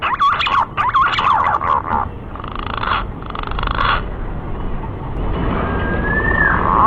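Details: Lure call of a male green pigeon summoning a female: wavering, warbled whistles at the start, a stretch of broad hissy bursts, then a clean rising-and-falling whistle near the end over steady background noise.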